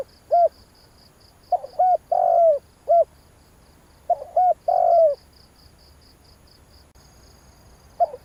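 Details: Spotted dove coo phrases played to stir up a decoy bird: two clear sequences of short hollow notes ending in a drawn-out falling coo, then a brief start of another, with rhythmic high insect pulses behind.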